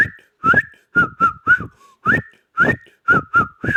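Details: Rapid chatter from a talking ring-necked parakeet: short whistled syllables, some flat and some with a quick upturn, tumbling out about twice a second with breathy voiced undertones.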